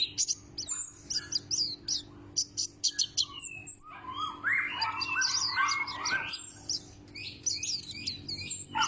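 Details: White-breasted white-eye (pleci), a loud-voiced bird likened to the Sumbawa kecial: rapid high thin chirps and sharp whistled notes in quick bursts, then a busier stretch of mid-pitched warbling twitters mixed with high squeaks, over a steady low hum.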